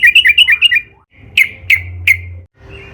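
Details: Trucukan, the yellow-vented bulbul, singing as a lure to set off other trucukan: a quick run of five bubbling notes, a pause, then three sharp, well-spaced chirps.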